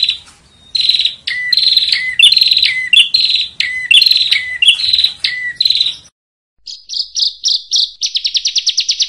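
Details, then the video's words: Master recording of bar-winged prinia song for training competition songbirds: strong, buzzy high notes each ending in a short drop, repeated about once a second, then after silence a quick rattle of short, high chips. "SUARA BURUNG PRENJAK"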